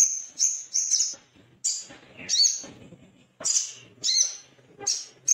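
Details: Little spiderhunter, possibly a male, giving sharp, high, harsh chipping notes in quick bursts, repeated roughly every half second to a second, with short pauses between.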